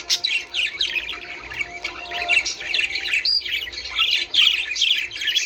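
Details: Budgerigar chatter meant to encourage mating: busy, unbroken warbling of rapid high chirps, squeaks and buzzy twitters, with one clear whistled note partway through.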